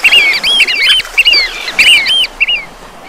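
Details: Eurasian oystercatcher calling on the French Breton coast, a fast excited run of shrill piping notes, each sharply slurred, overlapping in a tight burst before trailing off, with faint surf beneath.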